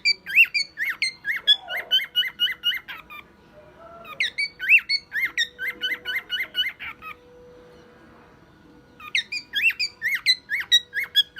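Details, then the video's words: Pet male cockatiel, aged one year, imitating a car alarm and other sounds: fast runs of identical sharp upslurred whistles, about two per second, in three bursts separated by quiet gaps, with a faint hum underneath. "Calopsita imitando alarme de carro e outros sons"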